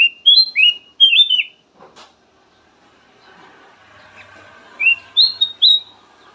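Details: Melodious whistled song of a kutilang emas (golden bulbul). Two rapid groups of bright slurred whistles open, a quiet pause with a faint murmur follows, then three more rising whistled notes.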